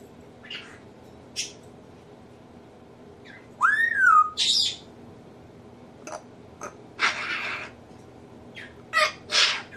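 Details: Caged pet African grey parrot imitating household sneezes, laughs, burps and nose blowing, plus talking: a loud arching whistle, harsh noisy bursts resembling sneezes or nose blowing, and clipped squawks.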